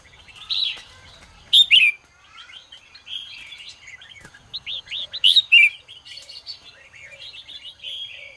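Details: Red-whiskered bulbul singing in the morning to stimulate other bulbuls: loud phrases of clear, slurred whistles and sharp downward notes, two peaks about four seconds apart, with softer bubbling notes between.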